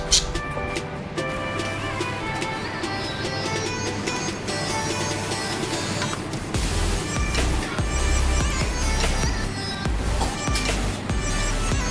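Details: Steady background music with a deep bass line plays throughout, with no animal calls standing out. Sustained tones and a low rumble fill the recording from start to finish.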